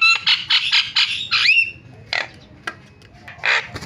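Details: Lure calls of a starling, used to set other starlings calling: nasal harmonic notes repeated about five per second, a rising drawn-out whistle, then two isolated harsh bursts among quiet gaps.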